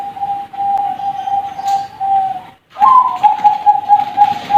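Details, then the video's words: Young Bangkok perkutut (zebra dove) gives a long level coo, pauses, then launches into a louder run of rhythmic, bubbling cooing notes. "Kumpulan Suara Perkutut Piyik Bangkok"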